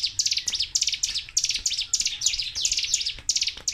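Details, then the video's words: Sunda warbler, known locally as ciblek gunung, pouring out "tembakan" song without a break: fast, piercing downward-swept chirps in tight repeated bursts, several per second, over a faint low rumble. "TEMBAKAN CIGUN/CIBLEK GUNUNG GACOR DOR TANPA JEDA"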